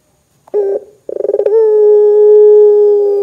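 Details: Lively Barbary dove calling to stir other doves into calling: a short sharp note, a pause, a rapid stuttered run of pulses, then a smooth long low hum held steadily to the end.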